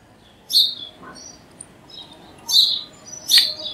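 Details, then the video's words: House sparrow chirps recorded naturally: a few short, bright, high chips spaced about a second apart, with fainter chirps between them. "Sparrow Birds Crowing Sound Charya Ki Awaz"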